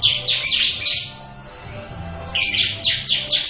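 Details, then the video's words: Bar-winged prinia in 'ngebren' song, two quick runs of harsh, high-pitched buzzy notes delivered in rapid succession, separated by a brief quiet gap, with faint low hum underneath. "Burung Ciblek Ngebren"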